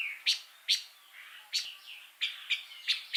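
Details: Pancawarna bird in lively song: a steady run of high slurred whistles punctuated by crisp sharp chips roughly every half second, clear and unaccompanied.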